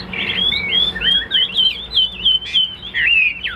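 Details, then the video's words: Tame captive Chinese hwamei singing a run of clear, looping whistled phrases, high and bright, rising and falling in quick succession with short breaks between bursts. "Hoạt Họa Mi"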